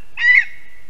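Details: Lesser spotted eagle, a female back from Africa to breed at her spruce nest in Zemgale, Latvia, on a live nest camera, evening of 11 April 2022. A single short, high yelping note, rising then falling, under half a second.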